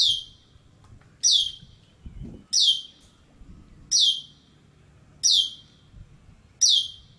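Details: An Asian glossy starling at its nest site in Malacca, Malaysia, around midday, repeats a sharp, high, downslurred metallic note about every 1.3 seconds, six times, over a faint low hum.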